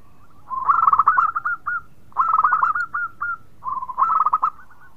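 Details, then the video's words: Energetic local zebra dove with a melodious song that reportedly sets off other birds. Three loud phrases, each a soft coo followed by a rapid bubbling run of cooing notes and trailing longer notes, come roughly every one and a half seconds. "Perkutut Lokal Gacor Suara Merdu bikin yg lain bunyi"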